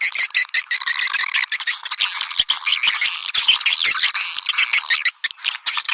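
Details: Call for luring swiftlets: a steady wall of high-pitched chirping and squeaky twitters from a crowd of birds, busy and continuous, with a few thin whistled notes rising above the chatter.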